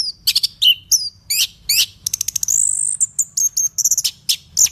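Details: Lively orange-headed thrush song mixing high whistled slurs, rapid clicking trills and a sustained thin high note, phrases changing quickly in pitch and rhythm.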